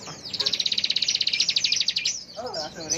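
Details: Bar-winged prinia, locally ciblek, in full ngebren song: a rapid high pulsed trill of about twenty-five beats over under two seconds, followed by softer lower chattering notes.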